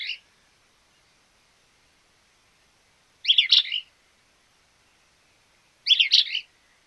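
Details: Small-billed Elaenia in Argentina repeating a short, harsh, burry phrase about every two and a half seconds, three phrases in all, against a quiet background.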